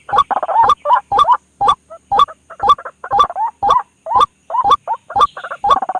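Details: Night lure recording of white-breasted waterhen, played to attract birds to a snare: hoarse, nasal croaks tumble in quick succession, about two per second, partly overlapping and uneven in spacing.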